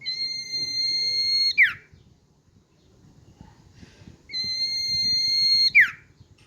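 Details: Common iora held in the hand, singing: a long, level, drawn-out whistle ending in a sharp downward slur, given twice about four seconds apart, with quiet room noise between.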